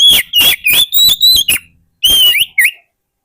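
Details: Oriental magpie-robin singing as a lure for wild birds: a fast series of loud clear whistles and slurred notes, followed by a separate rising phrase.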